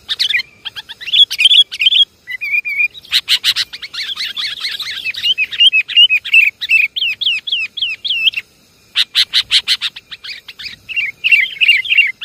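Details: Sooty-headed bulbul lure call, Java: bright chirps, then a long stretch of dense chattering with sliding whistles, a short pause, and further rapid bursts of clicks and warbles.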